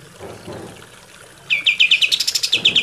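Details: An Olive-winged Bulbul gives a fast, bright chattering run of about a dozen high, clipped notes over a second and a half, after faint low rustling; offered as a master song for training bulbuls.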